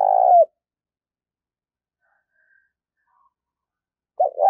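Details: Trained decoy spotted dove: the tail of a long low purring coo opens the recording, followed by silence and then the start of a new cooing phrase.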